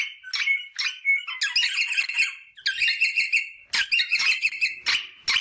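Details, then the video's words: Rosella vocalising to prompt mating: a few clear whistles at the start, followed by loud, rich chattering phrases with sharp onsets, repeated almost without a break. "The sound of the rosella bird to stimulate mating"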